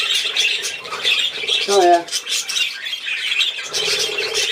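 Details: Budgerigars at play on 13 December 2019 keep up high, scratchy twittering and chirps, briefly interrupted by a short, lower harmonic squawk or voice-like sound before the busy chattering resumes.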